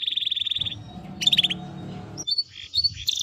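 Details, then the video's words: Timbrado canary singing: an even rapid trill, a short burst of sharp high notes, a quiet stretch, then scattered chirps and a renewed high phrase. "Canary Bird Singing Timbrado canary singing beautiful melody"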